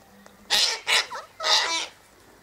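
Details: Sulphur-crested cockatoo among a feeding flock at a gate where seed is scattered daily; three raspy, grating screeches, the last one longest, over a quiet background.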